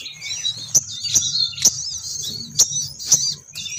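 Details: Lure recording of a female crimson sunbird meant to bring males down. Busy, shrill twittering runs steadily throughout, punctuated by five crisp high clicks roughly every half second, with a faint low hum underneath.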